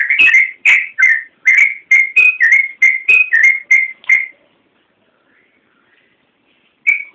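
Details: Yellow-vented bulbul in vigorous full song (gacor), recorded as a training master for caged birds: a burst of about a dozen rapid, ringing whistled notes over four seconds, then silence and one final note.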